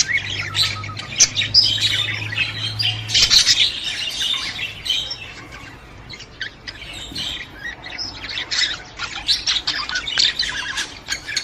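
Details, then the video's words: Budgerigar chatter used to stimulate a female to mate: fast, scratchy twittering warble, loudest in the first few seconds, continuing in rapid irregular chirps beneath a low hum at the start. "صوت تحفيز انثى البادجي على التزاوج"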